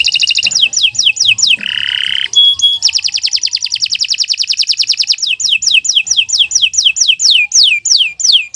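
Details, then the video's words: Long, continuous canary morning song for training other birds: fast whistled sweeps, a harsh buzzing phrase and clipped notes, a sustained rolling trill of several seconds, then a steady series of sharp downward-slurred whistles. "Kicau Burung Kenari 144 II LUAR BIASA GACOR PANJANG Cocok untuk Masteran"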